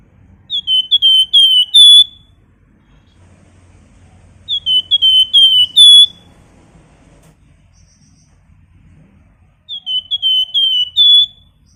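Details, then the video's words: Flamboyan whistling repeatedly: three similar phrases, roughly every four to five seconds, each made of four or five pure, sliding whistles ending on a higher note. A low hum runs underneath. "Burung Flamboyan Gacor pintar Nyiul"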